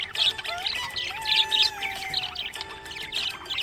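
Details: Happy budgerigar chirps: quick bursts of high, scratchy twittering notes, about four a second, over sustained music tones and a low gliding melody line.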